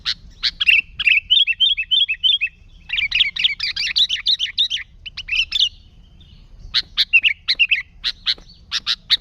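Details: Lively sooty-headed bulbul song without added sounds, used to lure and train bulbuls: bright chattering phrases of quick, repeated warbled notes, with dense bursts and sharp separate chirps. A faint low rumble sits underneath.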